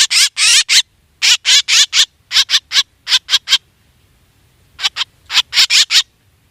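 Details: Black drongo lure call for hunting: short bursts of three to four harsh, scratchy notes in quick succession, separated by pauses of one to two seconds.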